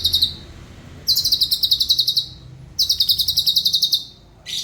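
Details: Cucak cungkok, a mimicking songbird used to train other caged birds' voices. Two long, rapid, high trills of even pulses, each over a second, with a brief lower burst at the end, over quiet low hum.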